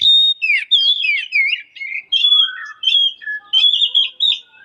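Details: White-rumped shama (murai batu) singing in a continuous, energetic style, used as master recording for training other shamas: varied whistled phrases, slurred rising and falling notes and rapid trills in quick succession.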